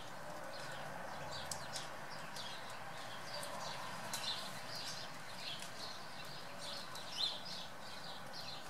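Eurasian blue tit giving thin, high, brief call notes at an uneven pace, set against a steady hiss and a low background rumble.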